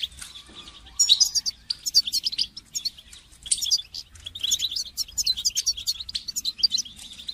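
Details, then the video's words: Goldfinch singing, meant as training song for songbirds: a soft opening, then a long, busy stream of rapid twitters, chirps and buzzy trills that barely pauses. "goldfinch song training"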